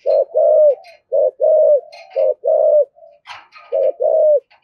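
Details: Spotted dove in 'thổ' voice, 'thúc gù' urging coo that provokes other doves: low paired coos, a short note then a longer level one, repeated quickly, with faint high chirps and a soft thump.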